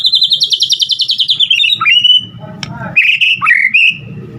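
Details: White-rumped shama singing a varied full-repertoire song meant to provoke other shamas: a fast rattling trill sliding downward, then clear whistled notes and abrupt high chips over a faint low hum.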